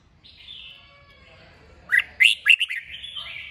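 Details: Red-whiskered bulbul, 'kích bổi' stimulation song for prompting birds to sing: soft high warbling at first, then four loud, clear whistled notes in quick succession near the end, with chatter after.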